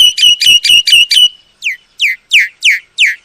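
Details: Old myna calling: a quick run of six bright, ringing notes followed by five loud, sweeping downslurred whistles spaced about a third of a second apart.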